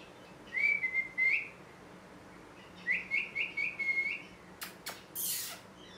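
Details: Parrot chirping: a pair of whistled chirps, then a quick run of four or five rising whistled notes, ending with sharp clicking and rustling noises.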